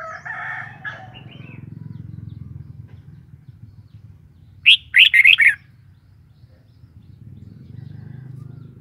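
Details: Red-whiskered bulbul song: a single short, lively phrase of four rapid, liquid whistled notes rising and falling, set between stretches of low mechanical hum and a faint chatter at the start.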